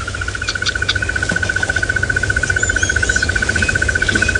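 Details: A hidden crested barbet in a tree beside the vehicle, at sunrise on 26 December 2017 in Djuma, Sabi Sand, South Africa, gives a long, steady, rapid trill of even mid-pitched pulses, like an alarm clock ringing, over a low engine rumble.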